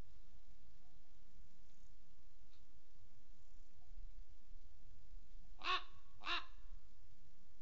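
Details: Common Raven recorded at Rascafría, Spain: after several seconds of near silence and low rumble, two loud, raspy croaks follow close together, roughly half a second apart, near the end.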